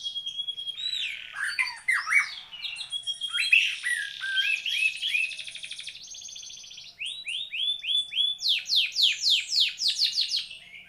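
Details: White-rumped shama in full song, a dense medley of mimicked-sounding whistles and buzzy notes, a fast rattling trill, then a regular series of loud downswept whistles about every third of a second.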